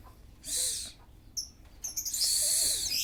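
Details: Oriental magpie-robin (kacer) in full breeding condition, kembung and mbagong: two loud, rasping, hissy bursts separated by a few thin high whistled notes.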